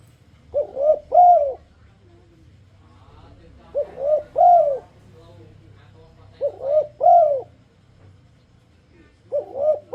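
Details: Luring song of a spotted dove (tekukur) to coax other doves into answering: four soft, hollow cooing phrases, each a couple of short notes followed by a longer swelling coo, spaced roughly every three seconds, with low background rumble.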